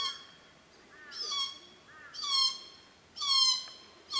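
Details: Glossy black cockatoos at their seasonal June-to-September feeding ground in Casuarinas at Cootharaba. Soft, quavering notes lead into loud, harsh, descending squawks, about one per second, from more than one bird.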